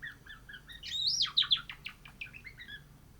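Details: Cream Java sparrow kept as a pet, practising its song: short chirps, then a rising-falling run of high whistled, trilling notes peaking mid-phrase, followed by clipped repeated chirps fading out, over faint background hum.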